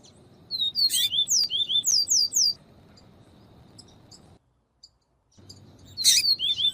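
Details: Double-collared seedeater in the viviti song style, with female calls, played to warm up and stimulate a cold male to sing. A quick run of high, sharp, slurred whistled notes repeating for about two seconds, a pause, then another burst, over a steady low hum.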